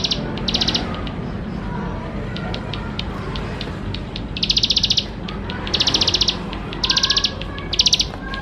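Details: Bar-winged prinia song played to encourage young birds to start singing: after a quieter opening with faint chips, loud high buzzy pulsed bursts come in spaced groups about a second apart.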